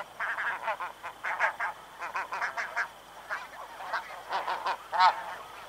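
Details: A group of snow geese flying past at Chincoteague, Virginia, calling in quick bursts of short, nasal, barking honks, several birds overlapping, with a brief lull around three seconds before the honking picks up again.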